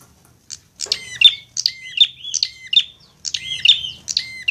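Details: Prinia song used as training material to get a bird singing fast, linked to fighting prinias: sharp clear chirps with a bright ringing upper tone, given in quick bursts about once per second over a low hum.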